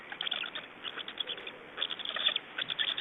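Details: Evening feeding and change-over at a Black stork nest in Estonia, 24 May 2012: short scratchy ticking series, broken into small clusters of fast pulses.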